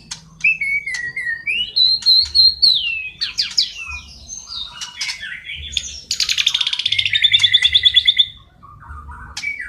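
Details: Steadily singing white-rumped shama with copied sparrow, fighting lovebird and kapas tembak fill-ins. Falling and rising whistles lead into a fast rattling trill that repeats about fifteen times before fading.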